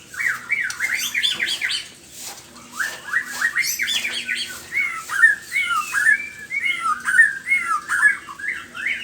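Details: ['White-rumped shama singing at morning: continuous, loud, varied warbling made of fast looping whistles and slurred notes, phrases tumbling over one another with barely any gaps, over a faint low hum.']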